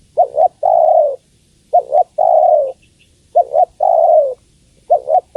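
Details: Female spotted dove calling for the male: clear repeated cooing, a brisk double note then a longer falling coo, around four phrases spaced about a second and a half apart.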